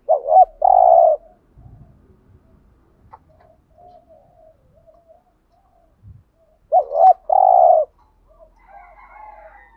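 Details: Spotted dove cooing in thúc gù style to draw wild doves: two phrases about six seconds apart, each a warbled note plus a sustained hoarse coo, with quiet murmuring and light rustling between.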